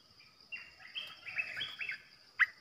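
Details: Olive-winged Bulbul kept as a decoy bird for trapping, Thailand: a soft, bubbly run of short warbled notes with one sharp clear note near the end, over a faint steady high hiss.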